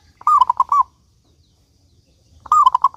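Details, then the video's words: Actively singing local zebra dove giving two rolling coo phrases of four or five clear notes each, with a long silent gap between them. "Perkutut Lokal Gacor Suara Paling Ampuh Untuk Pancingan Burung Perkutut Agar Bunyi"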